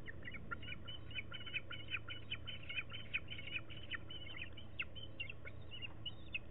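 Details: Young bald eagles at a nest, filmed by nest camera on 27 May 2016 while learning to make new sounds, give a steady stream of high, squeaky chirps several per second over a low lawn mower hum.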